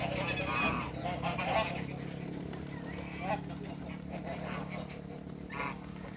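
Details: A giant pair of African geese in a backyard waterbird area, giving harsh nasal honks in short irregular bursts, with speech and a steady low hum underneath.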